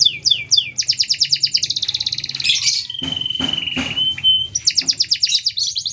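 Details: Long, continuous canary song with short pauses, used for training or provoking other canaries: fast trills of repeated high notes, a long steady whistle near the middle with a few harsh buzzy bursts, then rapid trills resuming.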